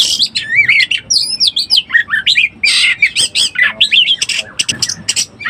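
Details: Oriental magpie-robin in breeding condition, lure sound: separate phrases of clear down-slurred and rising whistles interleaved with rasping notes, spaced by short gaps.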